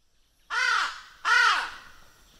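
A raven gives two harsh, drawn-out caws about three-quarters of a second apart, each falling away at the end; background is quiet.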